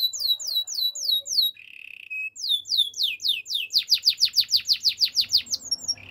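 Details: Spanish Timbrado canary song made of rapid downward-sweeping whistles repeated about three per second, broken by a brief low buzzy roll, then a dense fast series of bright descending notes.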